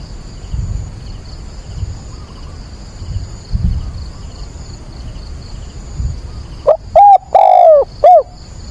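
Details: Spotted dove used as a decoy, calling at dawn on 22 October to excite and train wild doves; several seconds of quiet hum and rustle, then one loud four-part coo phrase ending with a short falling note.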